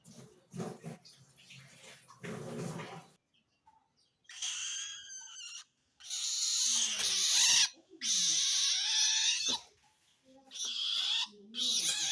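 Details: Long-tailed shrike calling to wild shrikes, signalling it feels threatened by others of its kind; rustling, knocking noise at first, then about five harsh, raspy screeches with short gaps.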